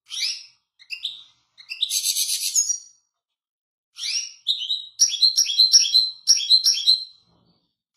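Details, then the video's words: Lively goldfinch song: quick tinkling phrases, a dense buzzy trill near the middle, then a rapid run of sharp chirping notes, all high-pitched with clean silence between bursts. "تغريد جميل طائر الحسون"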